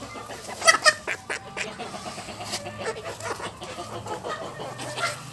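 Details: A Showgirl Silkie chick, listened to closely to judge its sex, gives a quick pair of high, clear peeps early on; soft handling noises and a murmuring human voice follow.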